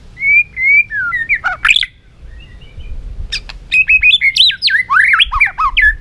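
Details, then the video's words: White-rumped shama in a cage, singing in a stimulated, competitive mood: clear whistled notes, a quick twisting flourish, a short gap, then a rapid run of zigzag whistles. "chòe lửa rực lửa đập chạy sàn cầu, hót dụ chim kích lửa hót đấu căng lửa"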